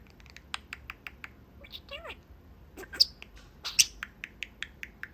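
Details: Pet budgie perched at its cage window with its owners: a series of regular short clicking chirps, a wavering warbled phrase in the middle, then loud squeaks and further evenly spaced chirps.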